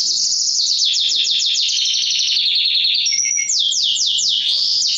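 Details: Canary male singing to stimulate females for mating, a continuous high trilled song of rapid descending notes repeated in quick series, with buzzy rolling passages midway, filling the whole stretch; faint low hum underneath.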